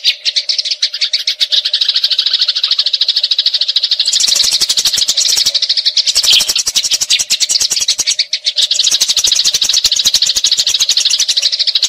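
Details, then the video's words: Fighting Eurasian tree sparrows in a long rolling chatter, prepared as training audio for magpie-robins. Continuous rapid high chirping runs throughout, overlaid in the middle section by sharp, evenly spaced clicking. "Gereja Tarung Ngeroll Abis"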